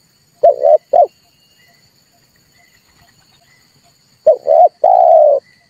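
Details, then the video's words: Red turtle dove cooing, used as a lure to stir birds into calling for trapping: a short low coo and a quick double note, then after a three-second pause a stuttered coo ending in one long drawn-out hoot. "tiếng chim cu ngoi dùng cho kich chim hót dùng để bây"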